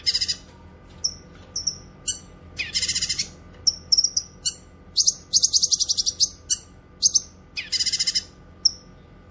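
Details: Cucak kinoy song used for training songbirds and luring wild birds: high harsh buzzy bursts alternating with short sharp whistled notes, bursts recurring every few seconds, fairly clean background.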